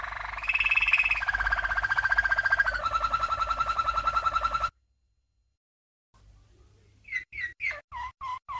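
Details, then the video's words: Waterslager (Malinois) canary, a 1997 champion, giving a training song: a long rolling trill stepping down through lower pitches, a silence, then crisp repeated falling notes. "Malinois CANARY From 1997 - 12h Training Song"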